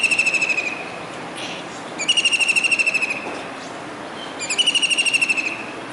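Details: Perched on a dish antenna on a Surat, Gujarat building during a rainy July 2019 day, a kingfisher calls. It gives three loud, rapid trills of shrill notes, each about a second long, spaced roughly two seconds apart.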